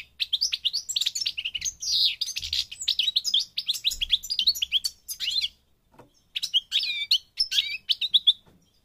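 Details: Goldfinch song from Morocco in North Africa, the Parva, a long run of rapid, high-pitched twitters, tinkling notes and buzzy trills, then a short gap and a further excited burst.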